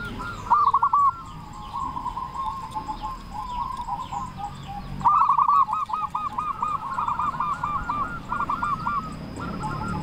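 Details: Local Zebra Doves singing as a lure to raise other doves' urge to sing: a brief loud coo burst, then long rolling runs of quick bubbling notes from several birds over steady background hiss.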